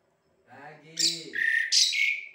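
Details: Asian pied starling singing: a low, rasping harmonic note followed by two loud, bright, buzzy phrases that break downward into whistled tones.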